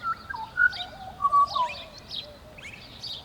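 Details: Pied butcherbird morning song, Southern Queensland, Australia, August 2017: clear fluted whistles, some held and some sliding down, over a few seconds, with faint high chirps from other birds in the background.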